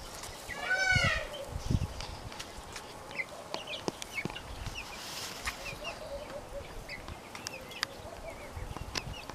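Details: Two-month-old white Brahma chicks: one loud, harmonic, arching squawk near the start, then soft, short chirps scattered through the rest over a low rumbling background with a few knocks.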